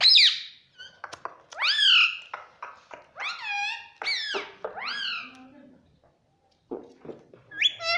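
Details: Pet parrot indoors, trained to say "mummy", giving a run of loud, arched, harmonic-rich vocal notes that rise then fall, several in quick succession with short gaps and a brief pause near the end.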